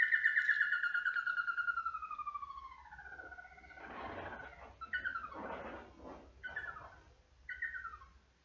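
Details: A tapaculo in the Atlantic Forest of southeast Brazil sings a song that carries across the valley: a long, loud whistle sliding steadily downward, then shorter falling notes about once a second amid rough, rushing noise.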